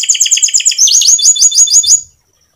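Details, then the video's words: Canary singing a long rolling song meant to coax other canaries into song: quick repeated chirping notes shift into a series of high downward-sweeping slurs, ending abruptly into silence after about two seconds. "Masteran Suara Burung Kenari Gacor Panjang cuit cuit Ngerol untuk Pancingan Kenari"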